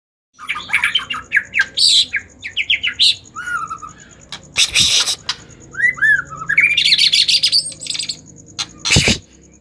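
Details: Agitated white-rumped shama song used to stimulate other shamas to sing: a rich run of varied whistles, quick rising slurs and harsh bursts, with loud broadband squawks between phrases.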